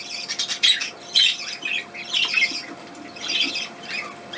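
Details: Small bird recorded on 31 May 2020, giving harsh, scratchy squawks in short clustered bursts at irregular intervals, with quieter rasping between them.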